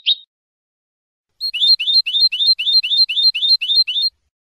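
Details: Clean goldfinch song recorded in 2015 as a teaching model for young birds. A short, sharp high note is followed after a pause by a fast, even series of about ten bright, repeated slurred chirps. The background is silent.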